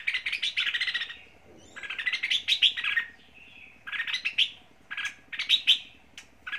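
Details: Red-whiskered bulbul used as a lure bird for fighting, from Lạng Sơn, Vietnam: bursts of bright chirping phrases about a second long, separated by short pauses, repeated through the recording.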